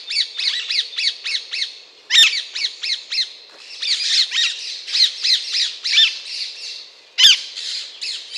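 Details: Alexandrine parakeet squawking rapidly: a long run of harsh, nasal, rasping notes delivered several per second almost without pause, with two sharper, louder screeches standing out in the stream.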